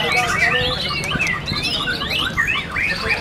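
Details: White-rumped shama singing in the murai batu class of the Prescup VI bird-singing competition at Cibubur, Indonesia. It gives rapid, varied whistled phrases with rising and falling sweeps and sharp chirps. Several birds overlap, with a low crowd murmur behind them.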